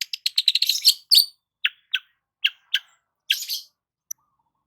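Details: Long-tailed shrike sunning itself in the morning: a quick rattle of high chips, then single sharp downslurred notes spaced irregularly, a short buzzy burst, and one tiny final chip.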